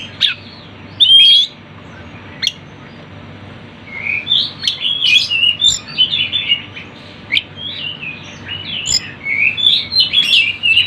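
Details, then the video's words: Lure recording of Sunda bush warbler song for attracting birds. A lone clear whistle and a sharp note open it, then dense, high, chattering twitters run almost continuously through the second half. "MASTERAN TLEDEKAN GUNUNG ||suara burung rame"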